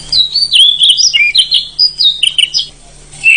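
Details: Oriental magpie-robin, forest bird, in a loud long-rolling song: continuous rapid whistled phrases leaping between high and mid pitch for almost three seconds, a short pause, then another whistle; faint hum throughout.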